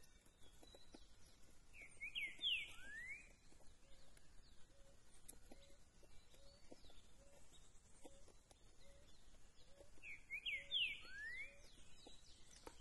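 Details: Green-winged saltator (trinca-ferro), a 'velocista' bird singing the curricutil style turning into 'boi com cuicado', recorded 13 September: two short, loud whistled phrases about eight seconds apart, with faint steady ticking clicks and a low background hum between.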